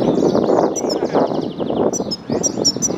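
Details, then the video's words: European goldfinch in a custom wooden cage, singing training session: rapid twitters and thin high notes in quick bursts, with sharp clipped chirps near the end, over steady low background noise. "GOLDFINCH 1h singing training"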